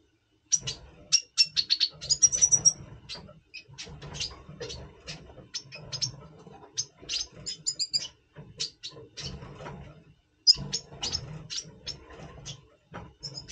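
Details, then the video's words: Double pastel red siskin in breeding mood, November 2023, before breeding: long run of quick high chips and brief buzzy twitters, fairly soft, with low background rumble. "Red Siskin 🦩Double Pastell 🔥FeuerZeisig before Breeding - Voice Brutstimmung"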